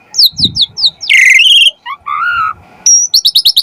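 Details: Asian pied starling song with varied phrasing, offered as masteran and pancingan to spur starlings to sing: descending quick chips, a harsh grating burst, lower mellow fluty notes, a pure high whistle and a final run of clipped notes.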